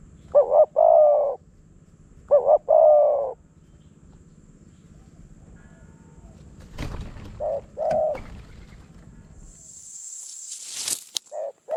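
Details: Spotted dove at a decoy trapping site in Phrae, Thailand: paired low hollow coo phrases near the start, a quieter pair later, separated by silence; a sharp knock and a brief high hiss sound between them.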